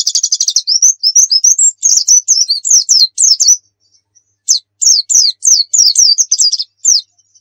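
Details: White-eye (pleci) tutoring song, 'nembak' style: opens with a very rapid high trill, runs into quick sweet whistled phrases, pauses briefly, then resumes with a series of sharp downslurred chirps.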